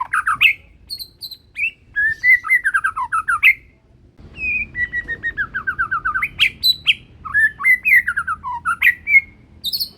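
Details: Young ringed, captive-bred Medan white-rumped shama, still in juvenile plumage, singing actively with a penetrating voice: rich whistled phrases, rapid falling note runs and sharp high squeaks, a brief pause near the middle, faint low hum behind.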